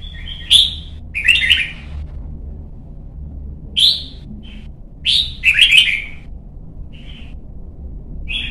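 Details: Singing practice of young red-whiskered bulbuls in Vietnam, encouraged toward competition song: sharp, sweet warbled bursts, some doubled, scattered with brief single chirps across the stretch, faint room hum behind.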